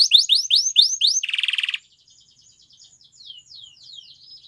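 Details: Canary in a Timbrado training song gives five quick rising whistled notes, then a dense buzzy rattle, before the song fades to faint distant twittering.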